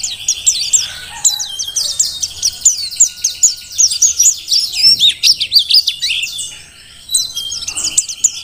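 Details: Mountain white-eye, a wild-caught Merapi bird singing intensely: rapid high twittering of thin, sharply rising and falling whistled notes, near-continuous with a short pause late on.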